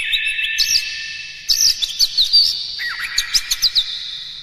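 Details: Oriental magpie-robin in full song to provoke rivals, with sustained whistles overlaid by rapid chattering notes and a quick series of sharp pulses in the second half.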